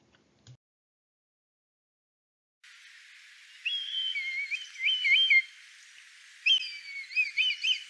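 A Red Kite gives two high, quavering whistled phrases that waver up and down, a few seconds apart, against a faint steady hiss.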